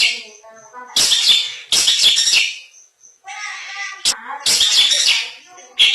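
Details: Long-tailed shrike in 'isian mantan' style, giving loud scratchy chattering bursts separated by quieter thin whistles and soft tonal notes.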